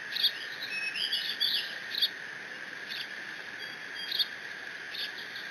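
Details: Eaglet of bald eagles on the Decorah nest cam, June 30, 2017, mantling Dad's delivered fish and squeeing; a cluster of high twittering squeals early on, then sparser sharp chirps, all over a persistent hum.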